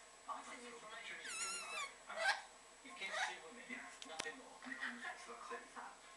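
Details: Pet orange-winged amazon parrot in a little rant, giving a wavering whistled note that slides up and down, then scratchy chattering squawks, with a sharp click midway and a faint indoor hum.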